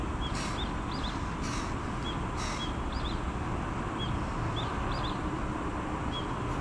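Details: Carrion crow youngsters the size of their parents beg for food with three rasping caws spaced about a second apart, while small birds add brief high chirps over a low droning background.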